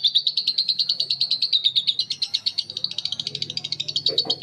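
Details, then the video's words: Lovebirds, Betmen, vio and paskun varieties, calling back and forth in a long ngekek: sustained rapid shrill chattering, evenly pulsed and buzzy, continuing without pause, a low hum underneath and a short harsher note near the end. "Suara Lovebird ngekek panjang❗Suara bikin Lovebird Betmen vs vio vs paskun saling bersautan."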